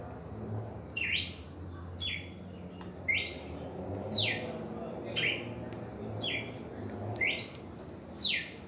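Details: Red-crested cardinal singing in its first reaction, eight crisp whistled notes that swoop upward or downward, spaced about a second apart, over a soft low hum.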